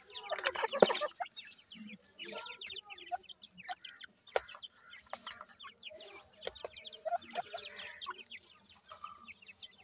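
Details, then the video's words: Dakhni teetar (francolin) chicks cheep constantly, a dense jumble of short high peeps and chirps with a few lower clucking notes and occasional soft knocks. "dakhni teeter chicks,titar chicks"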